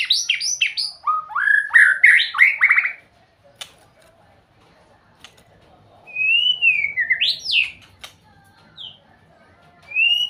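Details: A white-rumped shama sings a loud, rich run of rapid rising whistles and warbled notes, falls quiet, then returns with smooth wavering whistles and a steep upslurred note. A soft background hiss is present throughout.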